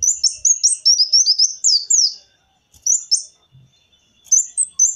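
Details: Lure recording of a kolibri wulung sunbird: a fast two-second burst of shrill, jumbled chirps and downslurred squeaks, silence, then isolated high single notes.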